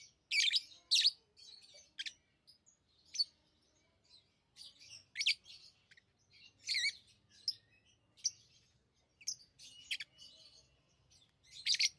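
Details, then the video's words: Tame lovebirds chirping, loud piercing squeaky bursts at the opening, then irregular sharp high chirps and scratchy chatter continuing throughout, some calls doubled, faint low rumble in the background. "Love birds Sounds | lovebirds chirping sounds"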